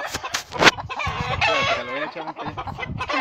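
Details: Hen attacking a hawk to defend her young: sharp knocks, then drawn-out harsh wavering squawks over a busy scuffle.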